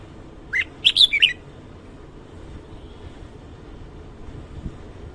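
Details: Red-whiskered bulbul morning song, a quick run of about five sharp whistled notes within one second, then a low rumbling background with no further calls.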